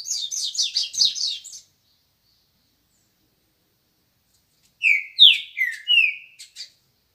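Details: Morning song of a green-winged saltator: after a burst of rapid, high chattering notes and a pause, a phrase of rich whistled notes that slide downward, ending in two short clipped notes.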